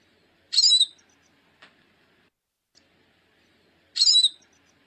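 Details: Calls of a female hooded siskin, two brief, bright, slightly buzzy high chirps about three and a half seconds apart, separated by near silence and a couple of tiny ticks.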